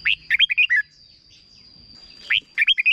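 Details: Red-whiskered bulbul from Thailand in its short 'bern' song style, used to teach young birds. A chattering run of five bright notes, a pause of over a second, then another quick burst of four or five warbled notes.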